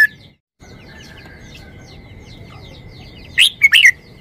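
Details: Short song of a red-whiskered bulbul: after a stretch of faint distant twittering and a steady hum, one quick phrase of three sharp, loud whistled notes near the end, rising and dropping in pitch.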